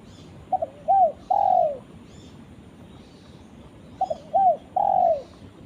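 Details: Two repeated phrases, about three seconds apart, from a spotted dove calling its companion. Each phrase has a stuttered double note, a rounded coo and a long falling coo, soft and low, over quiet hiss.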